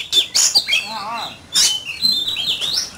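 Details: Oriental magpie-robin in a singing contest, giving harsh rasping bursts and high whistled phrases, with a lower wavering sound in between.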